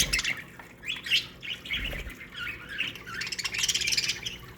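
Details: Aviary colony of budgerigars singing together: dense, overlapping warbles and chirps, rapid scratchy notes and short squawks throughout, thickest near the end, plus a couple of low thumps early on.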